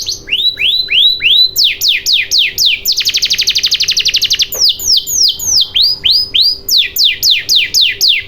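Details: Canary lure song to get silent canaries singing: loud descending whistled notes in runs, a fast buzzy trill lasting about one and a half seconds, then more repeated falling and rising slurs; faint steady hum behind.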